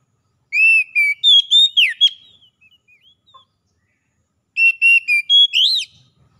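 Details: Oriental magpie-robin therapy song for captive birds: a rapid phrase of bright whistled notes with a sharp downward swoop, a trailing faint twitter, silence, then the phrase again ending in an arched note.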